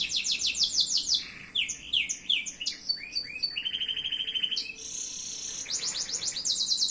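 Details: Canary singing, an Indonesian hobbyist's bird; varied high song of quick trills, swooping downslurred notes, a buzzy rattling run and sustained whistled notes, nearly without pause.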